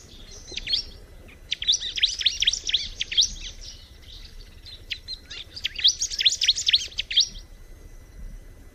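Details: Bar-winged prinia delivering two long rattling phrases of quick, high, repeated chirps, each lasting several seconds, with a quieter stretch between them.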